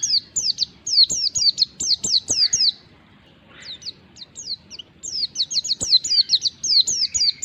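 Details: Oriental white-eye song used as a lure to make other white-eyes respond: rapid runs of high, sharp descending whistled notes, a brief pause near the middle, then another fast chattering run.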